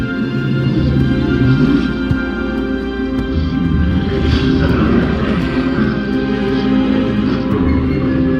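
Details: Loud, continuous orchestral music fills the recording, with no animal calls audible.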